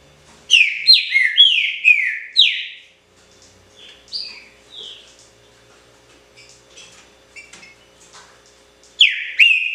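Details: Great-billed seed finch of the original "pixarro" song type: a fast run of five loud, clear descending whistled notes, then scattered softer notes in a quiet pause, and a fresh burst of whistles at the end.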